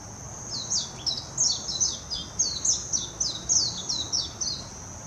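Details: Warbling white-eye singing in Hashimoto, Wakayama Prefecture, Japan, on 26 June 2021, recorded with a Nikon Coolpix P900: a rapid, high, tumbling twitter of thin slurred notes, almost continuous, over a steady shrill insect-like drone.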